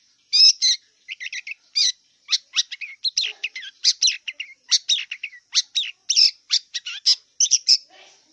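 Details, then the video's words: A wild long-tailed shrike delivers a lively stream of varied twittering and buzzy notes, many short slurred whistles strung in quick succession, with a continuous thin hum in the background. "Kicau cendet liar"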